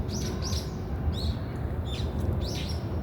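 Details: Brown-eared bulbul giving about five separate sharp chirps that sweep up and down quickly, spaced roughly half a second apart, against a constant low hum.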